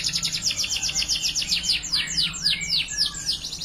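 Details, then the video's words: Canary of the Timbrado Español breed delivering a training song of rapid repeated notes that shift into slower, sweeping downslurred chips, with steady background hiss. "Timbrado Español Original - Meet Mr Whity ! - Canary Training Song"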